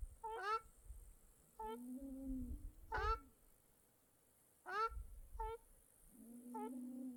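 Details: Birds at a small Mongolian lake give brief nasal calls and sharper downslurred notes at irregular intervals, plus lower drawn-out tones and soft rumbling water-side background.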